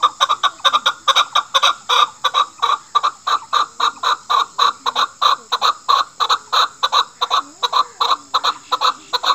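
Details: Chukar partridge from Pakistan, described as a chukar calling a female and as a hunting call, gives loud clucking chuck notes, about three per second in a steady, unbroken run, with laughter heard nearby.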